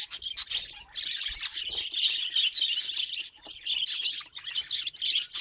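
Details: Pet budgerigars chattering together: dense, continuous high chirps and scratchy twitters, overlapping busily with brief pauses and no clear rhythm.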